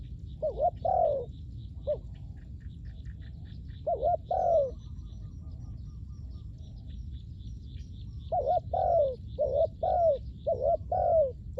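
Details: Spotted dove call for ground luring of wild doves: repeated cooing phrases, wavering double notes and falling longer coos, in an early burst, a short gap, then a rapid run of about five phrases. Faint high twittering and low rumble continue underneath.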